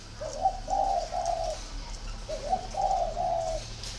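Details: Spotted dove from a dove garden in Ba Vì, Hanoi, northern Vietnam, giving two clear cooing phrases, each a short lead note followed by two longer mellow coos.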